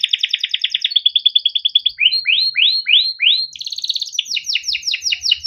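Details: Caged male canary kept in Indonesia, singing a long 'cuit cuit ngerol' chirping-and-rolling song used to tutor young canaries: fast buzzy trills, then a run of rising swept notes, then more rapid trills.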